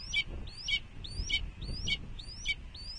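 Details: Red-tailed hawk nest at Cornell, 06.05.2021, 14:32: a steady series of high rising slurred whistles ending in a short sharp note, repeated about every half second, with low wind rumble.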